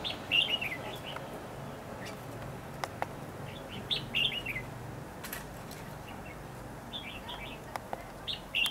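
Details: Lure red-whiskered bulbul during trapping, 8 December 2015, giving its competitive song: short, bright warbled phrases repeated every few seconds, with sharp clicks and knocks between them and low background noise.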